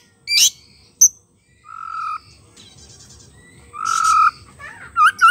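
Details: White-rumped shama singing as a lure for a silent bird: separate loud bursts, a harsh note, a click, steady whistled tones and a rich noisy phrase, ending in quick wavering whistles.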